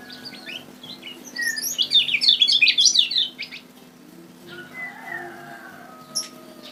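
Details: Kecial kuning (Lemon-bellied White-eye) from Lombok, used as a trapping lure, giving a fast tumbling burst of high, sweet twittering notes for about a second and a half, then a few thin slurred whistles, over a steady low hum.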